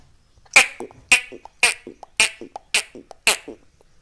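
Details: A rescued Alexandrine parakeet, a talking hill parrot, gives six loud, harsh, clipped calls roughly every half second, with softer muttered and chattering notes in between.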